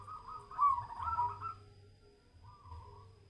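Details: Zebra dove (perkutut) in a mental test. One louder burst of quick, rolling coo notes, then a pause and a softer short trailing phrase. A steady faint tone and a low background hum are also present.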